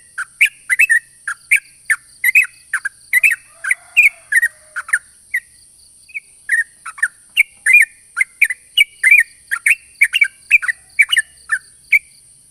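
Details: Sooty-headed bulbul in long, lively rolling song used as a lure to draw other bulbuls: clear whistled notes near mid-high pitch in quick bursts, repeated steadily throughout, with a constant high electrical hiss behind.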